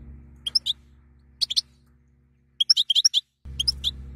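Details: Mating-excitement calls of a female European goldfinch, sparse sharp high chirps in pairs and triplets, then a quick run of about six, against near-silence and a low hum at the end.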